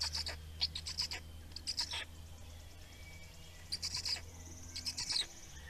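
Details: Black storks feeding, Estonia, 17 May 2019: scattered short bursts of thin, high, clicking pulsed calls, with a quiet gap in the middle, over a prominent low droning hum.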